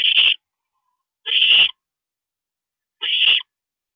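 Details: Owl parent at the nest in the small hours, 2:40 AM, April 22, 2012, giving three loud, noisy screeches, each about half a second long, about one and a half seconds apart.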